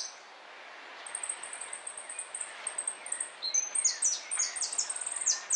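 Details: Jilguero at a 2013 singing competition, El Federal: rapid high thin notes, sharp repeated chips and short descending slurs, several per second, growing louder after the first second over steady background hiss.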